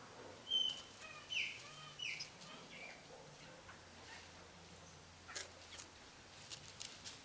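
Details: A Sayaca tanager (Thraupis sayaca) sings a quick run of thin, squeaky high notes, then scattered faint ticks, over a steady low hum.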